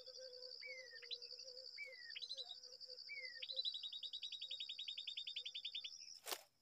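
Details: Babbler at its nest in a date palm: three rising whistled notes, then a fast run of repeated even notes, over a steady high insect drone, ending in a sharp click.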